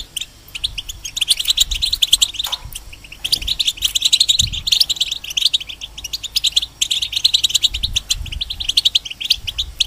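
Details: A caged European goldfinch sings for young hybrids to learn, opening with a few sparse notes before a long, busy cascade of sharp twittering and metallic trills, over light low-pitched noise.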